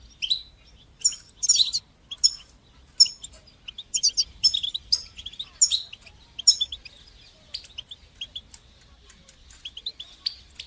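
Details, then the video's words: European goldfinch twittering in batbata and sastasa style to coach young goldfinches: a string of short, high chirps and tinkling runs, loud at first and then fading into sparser notes. "تقنيات تحفيز طيور الحسون لتشجيع نجاحها في التغريد بتبتة وستستة"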